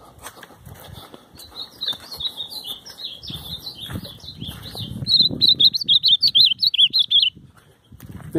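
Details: Ultramarine grosbeak used as a tutor bird on a countryside outing on 9/7. Its song is a sweet, warbled phrase of sliding notes that ends in a fast run of loud, repeated, looping notes, over low background rumble.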